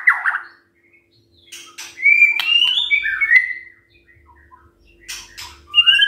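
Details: White-rumped shama singing in the morning to coax other birds: a harsh burst, a gap, then clear level and falling whistles with clicks, quiet spell, and a final rising whistle; faint low rumbles and hum.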